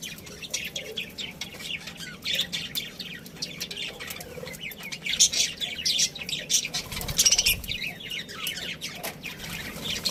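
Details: Budgerigars in a breeding colony keep up dense, overlapping chirping and squeaky warbling, rising in intensity midway with a few louder scratchy notes, over a soft background rumble.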